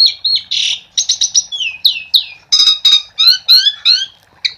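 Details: Asian pied starling, loud and chatty, used to coax starlings into song: harsh squawks, rapid stuttered notes and a string of down-slurred whistles, delivered at roughly three notes a second.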